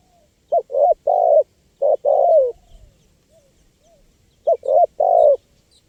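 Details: Spotted dove, a recording for luring wild birds: two distinct phrases of mellow cooing, two quick short notes then a long drawn coo, with a quiet pause and faint soft notes between them.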